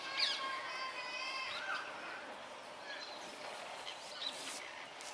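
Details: Rose-ringed parakeets in a large flock on a big mass move around Setagaya–Suginami, Tokyo, December 11, 2020, give a busy mix of harsh, shrill screeches and squawks, many birds calling over one another, with steady background noise.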